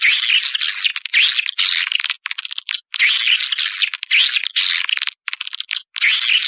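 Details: Edible-nest swiftlet lure call used to attract birds into swiftlet houses: bursts of dense, chattering high twitters lasting about a second, alternating with dry clicking rattles and short silent gaps, repeated in a loose cycle.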